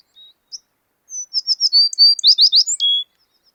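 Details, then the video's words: American tree sparrow song: a few soft introductory notes, then a rapid run of sweet, high twittering notes, some slurred downward, ending on a lower sustained whistle. No other sounds. "Gracie’s Wisconsin Bird Sounds: American Tree Sparrow"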